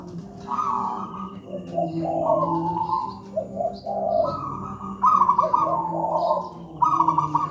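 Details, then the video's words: Deep-voiced local zebra dove singing steadily as a master for untrained doves: a chain of rolling, trilled coos with slight pauses between phrases, some faint higher chirps and a steady low hum beneath. "Masteran burung perkutut manggung gacor"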